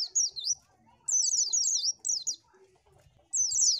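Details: Oriental white-eye song for attracting birds, heard as bright, rapid zigzag whistles in three high bursts, each under a second long, separated by quiet gaps.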